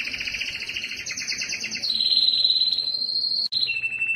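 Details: Yellow canary delivering a continuous rolling trill that steps from a doubled buzzy layer into a clear, bright, level whistle-like trill. A click-like break comes near the end, followed by a lower trill.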